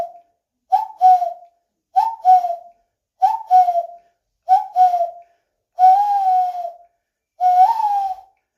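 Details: Common cuckoo giving repeated two-note falling cu-coo calls about every 1.3 seconds, then two longer drawn-out wavering notes near the end; no other sounds.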